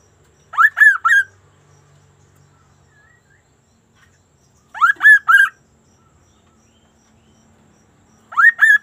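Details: Sunda laughingthrush (kaso-kaso) in full, lively song, sounding unusual: bursts of three loud, slurred, rising-then-falling whistled notes, repeated about every four seconds with silence between.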